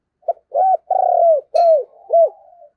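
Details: Spotted dove decoy cooing to attract wild birds during Tết: a short note, then four loud arched hoots with a long flat one in the middle, ending in a soft trailing coo; one faint sharp tick.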